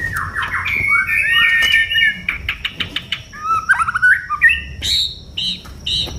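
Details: Varied song of an oriental magpie-robin: whistled slurs and rapid repeated chips, trilled phrases and rising-falling notes, with brief pauses between phrases and a faint steady high tone throughout.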